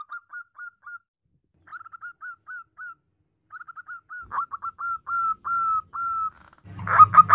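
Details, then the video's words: A female zebra dove calls the male in soft groups of four or five clipped whistled notes, building into a longer series of drawn-out coos, with a loud rumbling burst at the close. "perkutut betinagacor memanggil pejantan the female turtledove calls the male"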